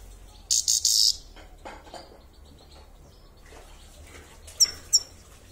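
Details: Grey-crowned (Himalayan) goldfinch in Kulob, Tajikistan: a brief, bright twittering burst of high notes, then a quiet pause and two sharp, high chirps in quick succession.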